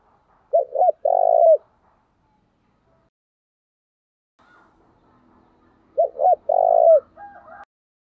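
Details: Spotted dove kept as a decoy, calling to provoke fights; two quick coos and a long hoot, then a five-second gap with faint rustling before the same phrase returns, a brief higher chirp after.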